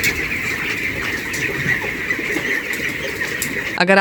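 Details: Broiler white chicks chirping as a busy, continuous chorus of high peeps with soft rustling, ending with a brief human voice.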